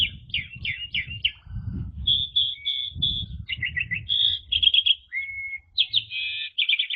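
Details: Jalak suren, the Asian pied starling, singing a lively ngeriwik-style masteran: quick chirped notes, short clear whistles and a rapid stuttering run of varied phrases, with low rumbling noise in the first half.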